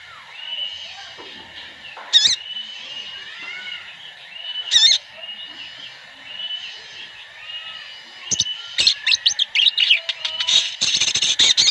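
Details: Sooty-headed bulbuls in a massed-flock lure recording meant to prompt birds to sing. Scattered bright whistled notes and short slurred calls over a steady high hiss, then a dense burst of rapid chirps near the end.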